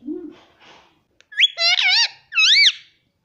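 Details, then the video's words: A pet talking parrot squawks out two high, wavering words in a row, a nasal "mummy", after a soft human voice speaks at the start. "parrot talking mummy"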